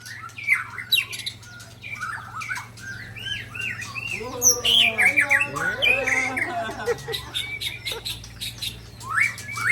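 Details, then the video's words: White-rumped shamas from Sabang, Ujong Pancu and Tangse in Aceh, Indonesia; a Sabang bird is attacked by the other two. Rapid varied whistled phrases, slurred rising and falling notes, with a dense burst of overlapping chatter midway and a steady low hum. "Murai Balak Sabang di serang Murai Ujong Pancu dan Murai Tangse"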